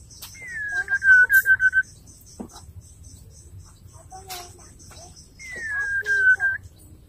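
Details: White-rumped shama (murai batu) female calling the male: two whistled phrases, each sliding down then wavering in quick rapid notes, separated by a pause of about three seconds, with faint clicks and low hum behind.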